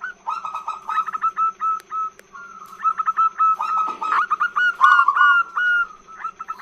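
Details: Female zebra dove luring males with a drawn-out run of rapid, stuttering whistled notes and short trills, irregularly spaced and sometimes overlapping; a low steady hum underneath.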